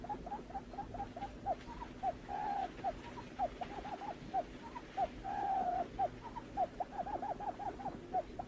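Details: Rhythmic hollow notes of a lineated barbet, repeated about twice a second, with two drawn-out rolling notes interrupting the series, and a steady low hum behind.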